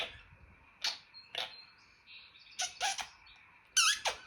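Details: Pet African grey parrot kept indoors, known for clicks, squeals, pops and electronic sounds, gives a series of short broadband squeaks and clicks with a brief tonal whistle in between, in a small quiet room.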